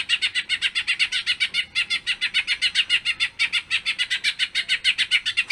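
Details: Cucak ijo, the greater green leafbird, singing energetically in a long 'bongkar isian' performance meant to draw other leafbirds into song. Fast, evenly pulsed buzzy notes run nearly continuously, with one brief break before resuming at the same brisk pace.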